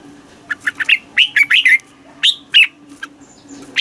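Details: Red-whiskered bulbul song played to stimulate caged birds and teach young birds. Scattered short chirps and warbled notes tumble irregularly through the recording, over a faint steady hum.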